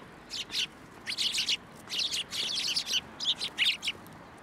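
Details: Sparrows coming to a post for food at a Tenmangu shrine, Japan, 2 January 2023, giving dense clusters of sharp, high-pitched chirps in quick irregular bursts with short pauses between them.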